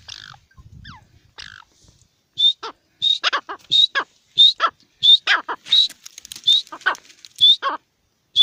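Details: A partridge starts with faint scattered notes, then settles into a steady rhythm of clear whistled notes, each followed by coarse grating bursts, repeated roughly every half second before stopping.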